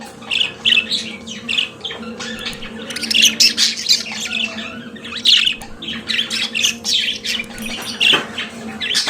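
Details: Pet budgerigars chattering and warbling continuously, a dense stream of chirps, clicks and squawky notes with louder peaks, over a quiet steady hum.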